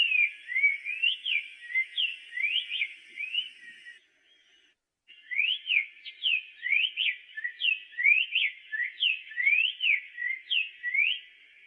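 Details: Continuous whistled song of a black-faced tanager: rapid rising and falling slurred whistles strung together, a brief silent break near the middle, then the same bright phrases resume.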